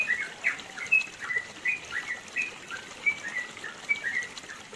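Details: Yellow-vented bulbul in the mountains of East Java singing a long song used to train other birds: bubbling whistled notes and quick slurred chirps strung together, over a soft hiss.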